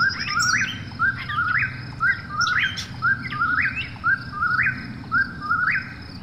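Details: At night an Eastern whip-poor-will repeats its clear, rising whistled phrase roughly every second. A continuous high insect hum, a low background rumble and scattered short chirps from other callers are also heard.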